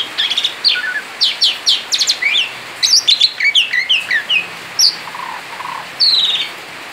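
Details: A male Asian pied starling outside its cage sings 'ngerol' style: quick chirp series and squeaky whistles at first, then softer low whistles and a final bright rising phrase.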